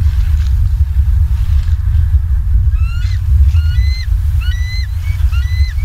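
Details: Bald eagle calls from Southwest Florida on the evening of 28 October 2022: a run of high, thin, rising chirps in short groups during the second half, over heavy low wind rumble.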